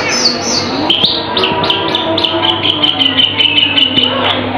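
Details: Cucak keling singing with very loud, sharp volume: a run of short bright chirps repeated steadily at a high pitch over about four seconds, with a faint steady low hum underneath.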